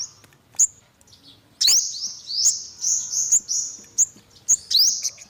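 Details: Olive-backed sunbird, yellow-bellied: high thin rising whistles and short sweeping chips in loose bursts, with brief quiet gaps between them.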